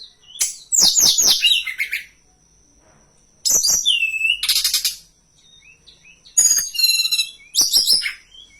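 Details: Tutor and lure recording of hill blue flycatcher song for training birds: three dense bursts of rapid buzzy, chattering notes with a sweet downslurred whistle, separated by pauses of over a second, against a constant thin high tone.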